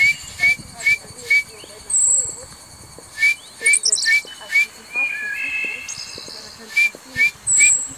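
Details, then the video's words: Kaka, a forest parrot, at Stuttgart Zoo: short clear whistled notes repeated about twice a second, with scattered higher thin whistles and a brief buzzy warble. "Cute Kaka Birds of Stuttgart Zoo"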